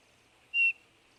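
A Eurasian bullfinch gives a single soft, pure piping whistle, short and level, over a faint steady background hiss.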